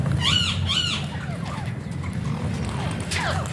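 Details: Alexandrine parakeet giving two loud, arched, harsh squawks in quick succession, then fainter rising and falling notes, with a steady low hum throughout.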